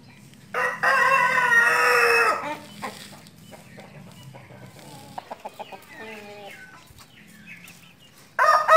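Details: Rooster crowing: one loud, rich, drawn-out crow lasting about two seconds, then quieter scattered clucks and short notes, with another crow beginning at the very end.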